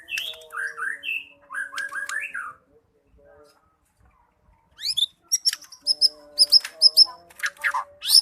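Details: White-rumped shama in 'gacor' song: a fast series of repeated slurred whistles, a pause of almost two seconds, then sharp high ringing notes repeated quickly with bright chips, plus a faint low steady hum.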